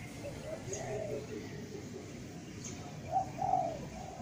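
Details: Spotted dove, known locally as tekukur, giving soft, low coos in two short phrases: one early and a louder pair near the end, over a steady background rumble with faint voices.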